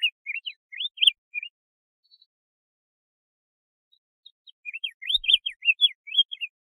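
Diademed tanager song: two quick bursts of sweet, slurred whistles, each about a second and a half long, separated by a short pause.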